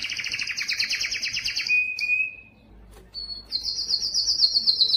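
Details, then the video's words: Yellow canary singing: a dense rapid trill, a short flat whistle, a brief silence, then a high fast rattling phrase. "yellow canary singing"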